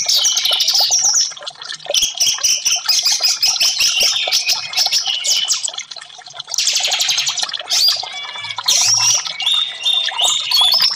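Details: Orange-headed thrush singing in long bursts, used to prompt silent caged birds to sing: busy scratchy and chirping phrases mixed with clear whistles, broken by two short lulls before the song resumes strongly.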